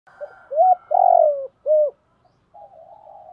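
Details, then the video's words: Spotted dove calling to lure and stimulate newly caught birds: low short coos rise into a long, rolling coo that tails off, then a separate rounded coo, with faint higher cooing and a soft murmur behind. "Chim cu gáy gọi bổi/ tieng cu gay kich boi nhanh noi"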